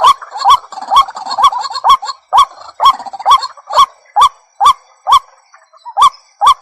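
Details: White-breasted waterhen lure: clear, separate hooked notes in a mid register, repeated about every half second. The background is fairly quiet between calls, with faint clicks and a few softer extra notes in the first seconds.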